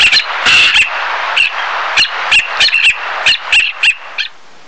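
Black-naped Tern giving sharp, high, clipped calls, about ten in quick irregular succession, over a steady hiss of wind or surf.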